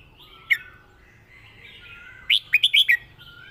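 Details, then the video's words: Competition red-whiskered bulbul master song: one sharp note, a pause filled with soft distant chirps, then a rapid run of four or five loud, liquid, rising-and-falling whistled notes. "เพลงแม่บท นกแข่ง#เสียงนกกรงหัวจุก"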